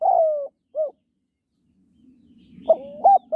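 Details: Female spotted dove calling to excite males. A long falling coo and a short arched hoot end one phrase. A low murmuring background noise then rises, and the next phrase starts with a quick note and an arched coo.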